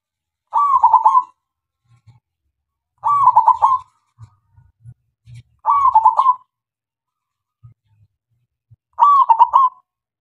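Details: Loud local zebra dove (perkutut lokal) lure song for silent doves: four rolling, stuttered coo phrases spaced about two and a half seconds apart, with soft low knocks in the gaps.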